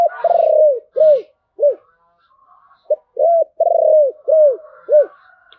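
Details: Spotted dove cooing in the voice style called "giọng thổ", also described as "Bầu": a run of about nine low, arched, hollow coo notes, some in quick pairs, with a short pause midway and faint higher background hum.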